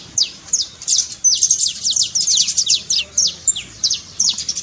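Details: High saffron finch trill used to encourage a silent canary to sing, made of quick sharp downslurred chirps in bunched groups, with louder clusters in the middle.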